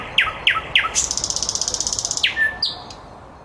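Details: Evening song of a city nightingale in Käpylä, Helsinki, at 21:30: three falling whistles, then a fast, even rattling trill of about twenty pulses, closing with a sliding whistle and a high thin note, over faint background hum.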